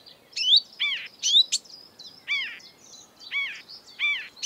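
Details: A marsh warbler in exuberant breeding-season song, a species that mimics European and African birds, gives quick bursts of high chirps, whistles and buzzy slurred notes tumbling over one another, with short pauses between phrases.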